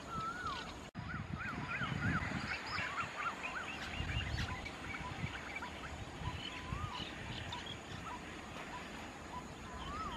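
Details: Great (white-vented) mynas feeding on ripe Ficus fruits in rice fields at Khao Yoi, Phetchaburi, Thailand, on 28 March 2016, chatter in quick, overlapping, arched whistled notes, several each second, over a steady low rumble.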